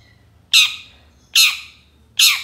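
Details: Long-tailed shrike, recorded as a lure to make other shrikes sing: three loud, harsh, rasping squawks spaced under a second apart, with quiet gaps between.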